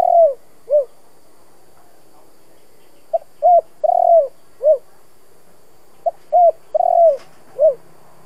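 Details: Spotted dove song in the 'giọng thổ' style for exciting decoy doves. Repeated four-part phrases: a clipped tick, a short coo, a long trilled coo, then a descending note. Three phrases spaced about three seconds apart.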